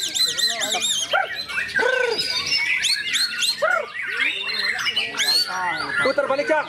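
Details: Continuous song of a white-rumped shama, mixing repeated arched whistles, low mellow rounded notes and fast chattering phrases, delivered without pause and loudly throughout.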